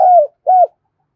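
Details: Spotted dove used as a decoy bird, loud and resonant voice, giving two short low hoarse coos about half a second apart, each falling slightly at the end, on a quiet background.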